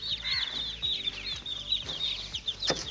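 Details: Young chicken chicks at play produce a busy chorus of high, short, downward-slurred peeps, with a sharp click near the end.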